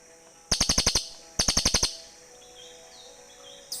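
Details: Cililin birds calling back and forth, recorded as a forest bird lure: two close bursts of six sharp, fast ticking chirps, then faint sliding calls in the background before another burst begins.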